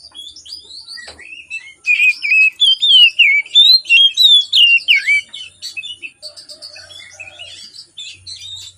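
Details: Morning song of an Oriental magpie-robin, played to coax reluctant birds into singing: a rapid run of rising and falling whistles about three a second, followed by softer scratchy chatter and a brief low warble.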